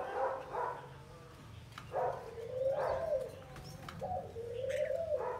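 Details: Wild-caught spotted dove after 12 days in a cage, giving low, hoarse coos. Each is a drawn-out, slightly rising and falling note about a second long, with short broken notes between them and faint background clicks.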